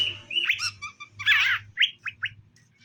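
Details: Caged greater green leafbird pair, male and female, being matched so they get along. A rising whistled phrase and stuttered notes lead into a loud, buzzy, scratchy burst. Three short sharp rising chirps end the sequence.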